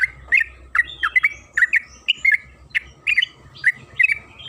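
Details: {'caption': 'Yellow-vented bulbul, called trucukan kebo, in a lure recording meant to make birds sing: harsh-edged, gurgling chirps and squeaky notes in quick succession, with a faint low hum early on.'}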